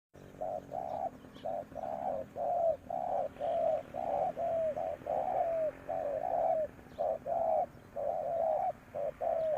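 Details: Spotted dove used as a ground decoy to lure wild doves, giving low mellow coos in short-long pairs, the longer note sliding down, repeated roughly once a second throughout.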